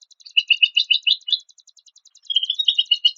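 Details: White-rumped shama song from a compiled tutoring set of harsh phrases. Two bursts of rapid buzzy chattering notes are separated by a quiet gap, with constant fast ticking underneath.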